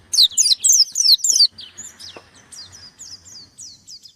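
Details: Pleci white-eye challenging a rival opens with four loud, rapid clusters of high slurred chirps, then continues with softer, thin whistled notes repeated at short intervals.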